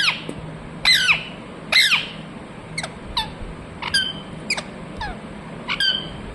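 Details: Parrot chirps and squawks: loud downward-sweeping calls at first, then softer, thinner chirps scattered through the rest, with a low hum behind.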